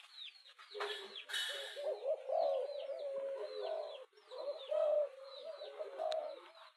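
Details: Spotted dove giving an urging coo meant to rouse a decoy bird fast: low, throaty coos rising and falling in short phrases, with a burst of thin high chirps from other small birds above.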